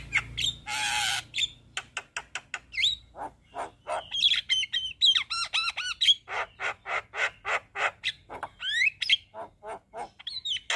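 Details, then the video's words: Javan myna, a cage bird in full varied song: a fast run of harsh chattering notes, whistled upslurs and warbling wavy phrases, loud bursts repeated several times a second, with a brief rasping squawk near the start. "Burung Jalak Kebo Gacor Full Isian"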